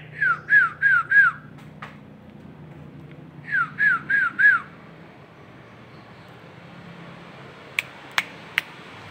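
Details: Nias hill myna, a local bird from Indonesia recorded for masteran: two bursts of four quick down-slurred whistles a few seconds apart, followed by three sharp clicks near the end, over faint background hum.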